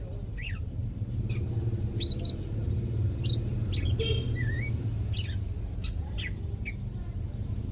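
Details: Captive greater green leafbird on its second day of care, starting to become active: scattered short sharp chirps and a few slurred whistled notes at irregular intervals over a steady low hum.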